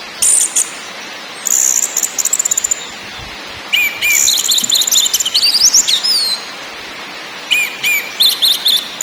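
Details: Orange-headed thrush song meant to make caged birds sing: bursts of high rattling trills alternate with wavering whistled phrases, separated by short pauses, with a steady background hiss.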